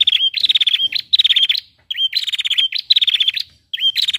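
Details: Female prinia sounding off to get males singing: dense, almost nonstop phrases of rapid rattling pulses, each punctuated by a high, slurred hook note, with only brief gaps.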